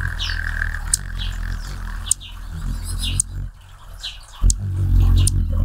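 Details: Hummingbirds flying around and drinking nectar, recorded with a Panasonic HD-X920: a deep, steady low hum, sharp clicking ticks and short, high chirps repeating quickly.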